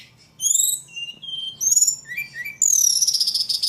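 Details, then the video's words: Ledekan singing: clear high whistled notes at shifting pitches, short slurred phrases, then a long fast trill that slowly descends. "Burung ledekan paling gacor"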